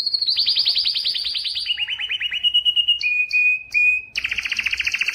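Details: Singing yellow canary delivering a chain of rolling trills that step down in pitch, a few clipped high chips and pure notes, then a loud rapid rattle-like tour.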